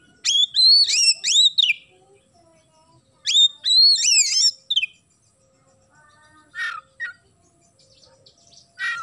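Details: Loud Oriental magpie-robin song mixing in imitated sparrow chirps. Two tight groups of three or four sharp, rising whistled chirps are followed by quieter, lower scratchy notes spaced a second or two apart.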